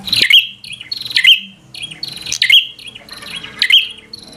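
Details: Bar-winged prinia singing in a 'gacor fighter' style that rouses rival prinias to anger and fight. Loud, piercing chirp phrases with sharp upward flicks, repeated roughly once a second, five in a row.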